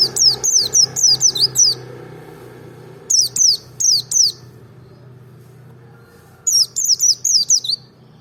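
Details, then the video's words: Merapi white-eye singing to provoke others into song: three bursts of sharp, high, downslurred notes, seven, then four, then six, rapidly repeated with quiet pauses between. A faint low hum sits underneath. "pancing emosi pleci merapi ngalas dobel buka paruh 100℅ ikut bunyi"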